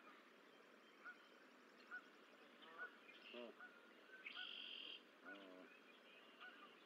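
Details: Goose family at the Decorah eagle nest, 14 April 2024, during the hatching of the sixth and final egg. Regular high peeps sound about once a second, along with two grating honks and a sustained high whistled note.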